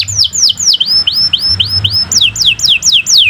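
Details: Canary used as a singing tutor for other birds delivers a slow series of about a dozen clear swooping whistles, first rising then falling, roughly two per second.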